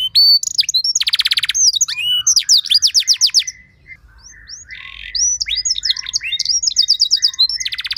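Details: Luxurious, richly ornamented canary song played to stir other canaries to sing: a buzzy rattle, quick series of sweeping whistles, a short pause, then more trills and clipped chirps.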